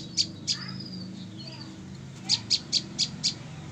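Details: Female olive-backed tailorbird, caught three days earlier, gives a few faint high notes, then a quick run of five sharp, high, evenly spaced chips about a quarter second apart, over a low background hum.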